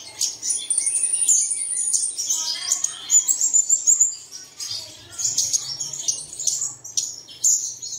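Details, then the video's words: Birdsong used as a lure, played in the early morning to get caged birds singing: dense, very high, thin twittering and chirps in rapid overlapping bursts, with short pauses, nearly continuous throughout, a faint low hum underneath. "Bật Tiếng Chim Này Lên Vào Sáng Sớm Chim Của Bạn Sẽ Hót Ngay"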